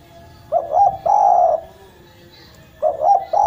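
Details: Eurasian collared dove, derkuku jawa, singing in lively gacor style; a short two-note lead-in and drawn-out coo, then the next phrase beginning, mellow and mid-pitched over faint background hum.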